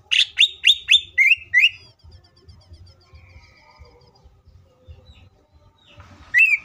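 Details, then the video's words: Cucak ijo, the green leafbird, singing to lure other cucak ijo into song: five quick down-slurred whistles and two lower notes, a long quiet stretch of faint notes, then one last sharp whistle. "CUCAK IJO FULL ISIAN PALING MEWAHH❗AMPUH BUAT PANCINGAN IJO AGAR CEPAT BUNYI DAN EMOSI!"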